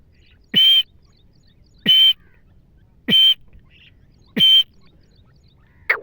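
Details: Female wild grey francolin, a hunting call: single loud, harsh, squawking notes repeat steadily about every 1.3 seconds, with a short faint note between two of them. The background is quiet.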